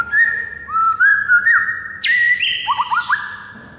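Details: Morning song of a white-rumped shama, a masteran recording for training birds: mellow slurred whistles rising in steps, a sudden bright upward whistle, then a quick trio of trilled notes, with a faint low background hum.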